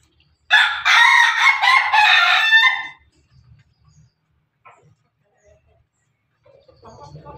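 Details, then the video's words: A Pelung rooster feeding together with hens gives one loud, long, wavering crow lasting over two seconds. Soft clucks and scattered faint sounds follow in the quiet afterward. "suara ayam ketawa berkokok"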